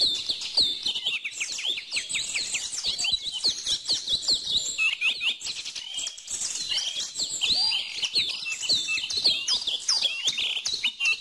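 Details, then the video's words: Continuous high twittering from many birds, a crowded wash of short chirps and trills, accompanied throughout by dense soft pattering or clicking sounds. "bird song"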